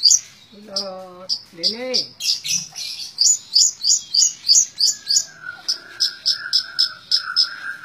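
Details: Long-tailed shrike delivering tembak ngebren song: two harmonic, nasal rising-and-falling calls, then a rapid, regular train of high clipped notes, ending over a sustained level whistle.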